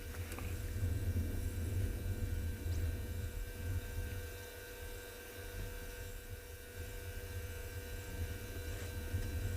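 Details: A steady low mechanical hum with faint electrical tones, perhaps a vehicle engine idling, and no clear animal calls.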